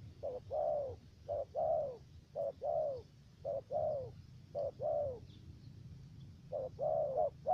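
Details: Decoy spotted dove with a three-note voice calling for trapping in the U Minh area, Cà Mau, Vietnam: repeated low short-long coos, the long note sliding down, in a regular rhythm with a short gap.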